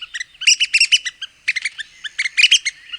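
Red-cockaded woodpecker giving raspy, squeaky chatter: short harsh notes in quick clusters, several calls overlapping over three seconds, with no other sounds.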